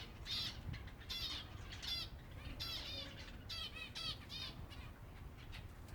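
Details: Silver Java sparrows, a group of finches at feeding time, giving bursts of bright, ringing chirps in clusters roughly every second, with wing flutters and low rumbling background noise.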